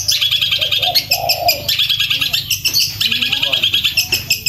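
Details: A Long-tailed Shrike pours out fast, unbroken high chattering song, full of sharp chips, trills and squeaky mimicked notes, played loud as a training recording, with a faint low hum underneath; Long-tailed shrike.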